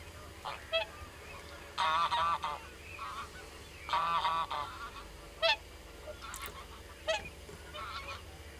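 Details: Common cranes in a big flock giving harsh, rolling, rattling calls in short bursts of about half a second. Quieter gaps separate the bursts, and a steady low hum runs underneath.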